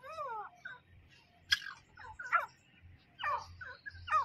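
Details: Wild grey francolin giving harsh, wavering, up-and-down notes in quick uneven bursts, some sharp and clipped, over a low background hum.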